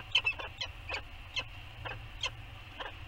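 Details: Peregrine falcon pair meeting in the nest on Anacapa on the morning of 15 September 2020, bonding and beaking: short harsh chipping notes, repeated roughly every half second, with faint low background rumble.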